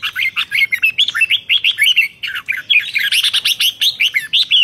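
A red-whiskered bulbul sings fast and without pause: bright, bubbly chirps and short rising whistles, several each second, with no other sounds.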